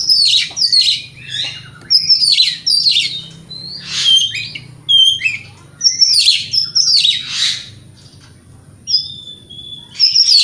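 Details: Provoking song of a white-rumped shama, meant to rouse other shamas: bright whistled and chattering phrases, strongly varied, in clusters with brief gaps, a couple of thin level whistles near the end.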